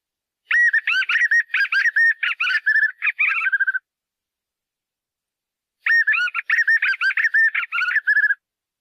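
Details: White-eared puffbird, known locally as joão-bobo, singing two bursts of rapid, rolling, slightly nasal whistled notes, each burst about three seconds long and ending in lower, softer notes, with silence between bursts.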